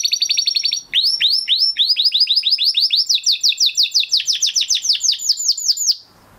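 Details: Huppe Spanish Timbrado canary from 2020 breeding, kept in a flock, singing a training song: a fast high buzzing roll that shifts into rhythmic swooping downslurred notes repeated about three per second, ending abruptly.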